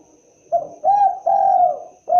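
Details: Spotted dove, known locally as derkuku or tekukur, giving its typical call: a short coo followed by two longer mellow coos, the last drawn out and slightly falling, low-pitched and clear against a quiet background.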